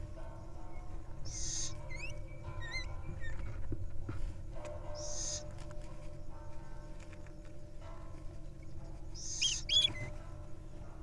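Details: Wild little owl nestlings preening one another and sharing kisses: three short breathy hissing bursts spread over about ten seconds, mixed with thin, curving whistled chirps and a steady low hum in the background.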